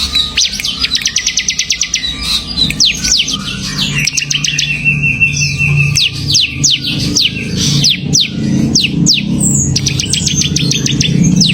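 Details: Bar-winged prinia singing in a fast, semi-active style: quick runs of sharp high chirps, then separate falling and rising sweeps repeated through the phrase, over a low steady hum.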